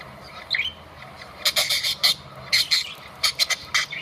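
Budgerigars give harsh, scratchy chirps and squawks in quick bursts during mating.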